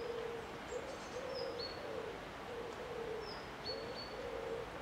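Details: Eurasian collared dove cooing steadily, a run of soft, low, hollow coos grouped in short phrases with little gap between them, while other birds add thin, high, sliding whistles in the background.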